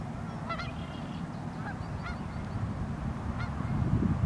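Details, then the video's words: Geese on the Pend Oreille River, North Idaho, on a very cold morning give several short, nasal honks in uneven bursts over a steady low rumble of wind or water. "The Song of the Geese"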